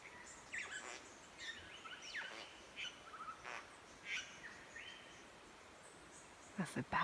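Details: Satin bowerbird in trees by a creek on a rural property in Victoria, Australia, making extraordinary noises, perhaps to impress a female or scare off a rival: scattered whistles, sweeping slurred notes and buzzy bursts, with loud clicks at the end.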